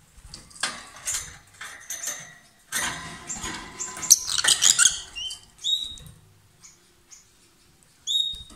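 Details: Loud song from a pair of lovebirds that kiss or swap food: dense scratchy chattering builds to a burst of shrill twittering, then clear high whistled chirps with short pauses between them.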